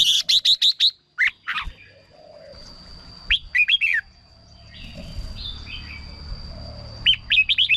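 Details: Red-whiskered bulbul, a recording played to excite birds or act as a decoy: an opening burst of five fast, bright notes, then scattered swooping whistles and a short phrase. A brief fluttery sound and steady high whine accompany it.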